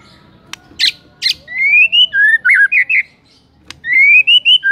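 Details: White-rumped shama used as a morning lure: after a few sharp clicks, clear rising whistled notes climb in steps, followed by wavering warbles, a pause, then more ascending whistles.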